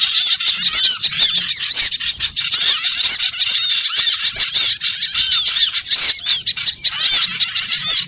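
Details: Small birds recorded as a trapping lure: a steady, crowded mass of shrill chirps, squeaks and short looping whistles, many callers at once, continuing for the whole stretch with slight swells.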